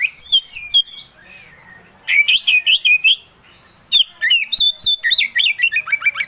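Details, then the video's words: Oriental magpie-robin singing as a lure to rouse another bird's singing: bursts of varied high whistles and chattering notes, separated by short quiet gaps, with rapid repeated phrases toward the end. "Suara Pancingan Kacer Agar Cepat Emosi Gacor ! Pancingan Paling Ampuh Buat Menaikan Emosi Kacer"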